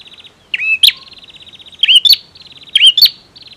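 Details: Male bar-winged prinia singing vigorously: a sharp, bright two-part note with a quick upward flick, repeated about every second, linked by a fast dry ticking trill around the same high pitch. The background is quiet.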